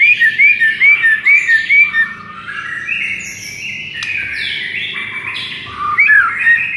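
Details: White-rumped shama masteran aimed at stirring a lethargic shama to sing fiercely: a run of quick, looping whistled notes, a stretch of sustained overlapping tones, then more looping whistles at the close.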